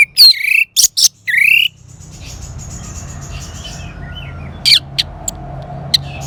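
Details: Orange-headed thrush, song for prompting a silent bird to sing: strong opening phrases of slurred whistles and sharp high notes, then low hum with a few soft chirps and short sharp notes.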